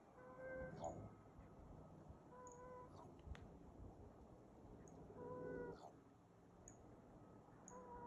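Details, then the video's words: A wild raven being mobbed and driven west by a pair of Cooper's hawks gives odd, silly-sounding calls. Several faint, level, hooting tones with overtones are repeated a few seconds apart over background hiss and distant high bird chips. "Two Cooper's hawks mobbing a raven who is making silly noises"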